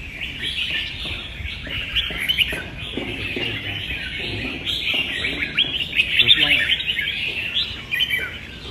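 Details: Red-whiskered bulbuls in a singing contest, recorded 15/12: a dense, unbroken chorus of bright chirping and warbled phrases from several birds overlapping, with quick sharp notes standing out around six seconds and faint voices beneath.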